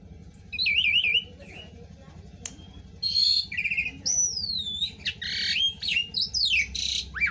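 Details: Asian pied starling song rich in mimicry of green leafbird, magpie-robin, swallow and bulbul, meant for tutoring kept songbirds; a trilled wavering whistle opens, then sharp squeaks, long gliding whistles and chattering notes over a steady low hum.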